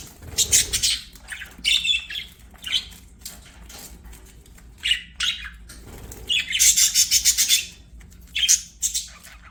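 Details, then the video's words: Singing budgies playing, giving uneven bursts of scratchy chatter, squawks and quick buzzy trills, with one loud rapid rattle in the middle. "BUDGIES SINGING PLAYING"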